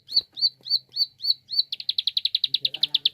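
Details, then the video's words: Prinia calling: six slurred, downward-flicking chips at an even pace, then a quick run of rapid staccato clicks, about seven per second, clear and high against a quiet background. "Prenjak Klik cepat"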